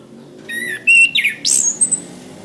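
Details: Orange-headed thrush song from a training recording for caged birds: a short run of clear whistled notes, then buzzy descending and rising slurred phrases and a high thin whistle, over quiet background hiss.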